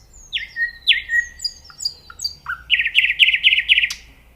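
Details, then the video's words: Common nightingale singing: loud descending whistled notes sliding from high to low, then a rapid pulsed rattle of repeated harsh notes, with thin high whistles above, against quiet background. "The nightingale singing"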